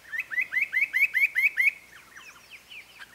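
Spot-breasted parrotbill giving a quick series of about seven rising, slurred chirps in under two seconds, followed by fainter, looser notes from other birds.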